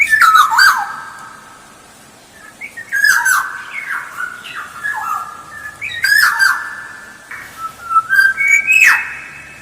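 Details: Black-naped oriole lure song: a rapid series of fluty whistled phrases mixed with grating, nasal, down-slurred notes. The phrases come in bursts every one to two seconds, and a rising whistle closes the run.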